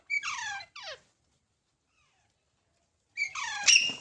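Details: Baby parrot giving two scratchy downward squawks, a long silence, then a louder burst of rasping calls.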